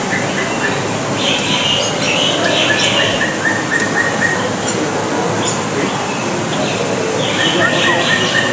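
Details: A collared kingfisher at ZooParc de Beauval, France, in May 2019, gives a fast series of harsh, clipped notes, about four per second, over loud steady rumbling background noise.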